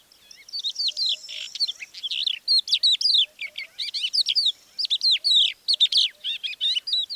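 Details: Crested Lark, early morning on 21 April 2024 near Divnoye, northern Stavropol steppe (Manych), reacting to the recordist with mild alarm or agitation rather than true song: a fast, intricate run of high twittering and slurred whistled notes in quick, varied bursts.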